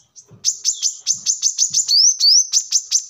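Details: Brown-throated sunbird singing, a recording meant as a lure or song model for training birds: sharp high chips repeated about three per second, broken by two bright rising slurred whistles, then more chips.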